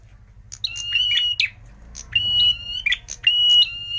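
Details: Prinia lure song for catching birds, known locally as prenjak merah: clicky introductory notes followed by sustained flat high whistles, given in three bursts with short pauses between.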